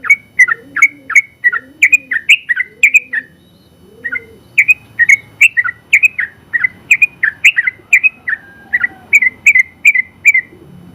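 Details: Contest-winning sooty-headed bulbul performing its long 'ropel panjang' song, used as a tutoring recording: rapid runs of crisp slurred notes, a brief pause near four seconds with faint low background sounds, then another long, even run.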